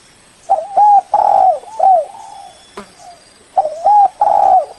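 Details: Spotted dove lure call to draw a rival: two loud, distorted phrases of repeated low coos, each with a longer drawn coo, separated by quieter echoing notes and a single sharp click.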